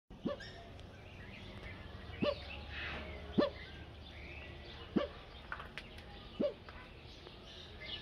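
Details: A pair of Great curassows (Crax rubra) at their roosting perches; one gives five sharp, upslurred yelping notes about every one to two seconds, with faint chatter of other birds in the background.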